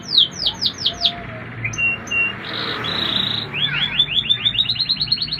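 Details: Canary song in Indonesia: a run of quick downslurred whistles, short level tones and a buzzy phrase, then a rapid series of upslurred chips, over steady low background rumble.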